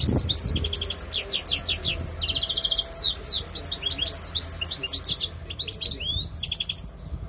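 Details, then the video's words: European goldfinch song, fast liquid twitter of tinkling notes, trills and quick chirps strung together with brief pauses, low hum underneath. "Jilguero Pegando"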